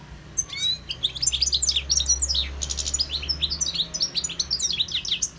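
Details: European goldfinch singing: a fast, continuous twittering of bright, rapidly changing high notes with buzzy and liquid elements, beginning after a brief pause and running on steadily; a low steady hum sits underneath.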